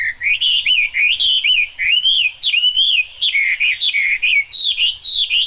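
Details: Chinese hwamei singing in the rain, sweet wavering whistles grouped in short phrases separated by brief gaps, each phrase rising and falling.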